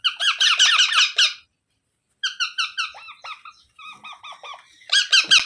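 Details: Repeated squeaky chatter from a baby parrot: a dense burst of rapid harsh notes, a pause, then uneven runs of thinner squeaks, ending with another loud harsh burst.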